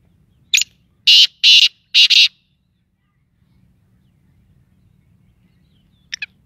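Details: Black francolin from Sindh, Pakistan: loud harsh grating phrase of a short note then three longer rasping notes in about two seconds, followed by silence and a brief faint double note.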